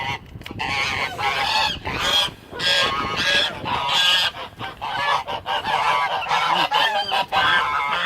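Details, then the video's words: Two white domestic geese fighting at a lake while other geese watch, until one goose breaks up the fight; loud, harsh, nasal honks and squawks overlap almost continuously, several birds calling at once. "Geese Fighting Honking Goose Fight"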